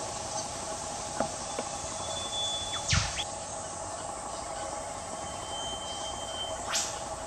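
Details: Australian whipbirds, male and female, in bush undergrowth calling to each other: a long thin whistle ending in a sharp whip-crack sweep, heard twice, over a steady hiss of insects and background noise.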